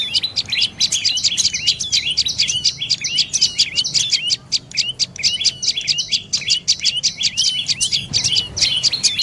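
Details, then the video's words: Dark-necked tailorbird calling in a long, dense stream of high, clipped chirps, each note a quick sharp twitter, delivered almost without pause for over nine seconds against quiet low background noise. "เสียงนกกระจิบคอดำDark necked Tailorbird Sounds"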